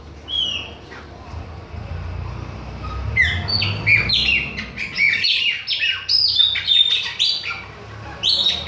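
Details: Bahian chopi blackbird, singing without stopping at other birds, opens with one whistle, then after a pause launches into a rapid, varied jumble of sliding whistles and scratchy notes over a low rumble.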